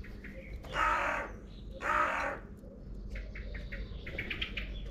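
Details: A family of crows at a feeder; two harsh, hoarse caws about a second apart, each lasting around half a second, then thin high chirps from small birds over a low background rumble.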